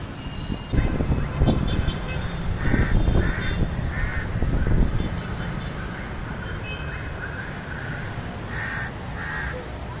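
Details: House crow at its nest holding five eggs, built outside an apartment; several short, harsh caws come in loose clusters, two or three at a time, over a steady low rumble of traffic.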